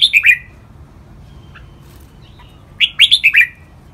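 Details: Red-whiskered bulbul kept in a cage, singing a spirited training song of the ลากหวาย style: two bursts of four or five rapid liquid notes stepping downward, separated by a pause with faint soft chirps.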